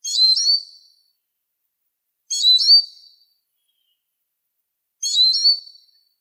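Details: Eurasian siskin (Spinus spinus) giving a repeated high phrase three times, about 2.5 seconds apart: rapid bright chirps trailing off in a long, thin whistle, against silence.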